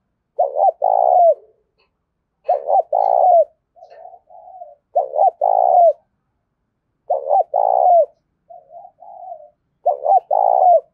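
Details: Tame decoy spotted dove, rural Đồng Nai, Vietnam, repeating its urgent 'gáy thúc' coo to lure wild doves: clipped double notes leading into a long vibrating coo, five phrases interleaved with softer, lower muttered coos.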